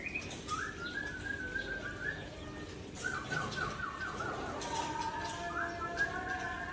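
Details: White-rumped shama of the Aceh type singing calmly at dusk: several whistled phrases, each a short rising note that flows into a sustained even tone, followed by a wavering, stepped whistle and a lower held note.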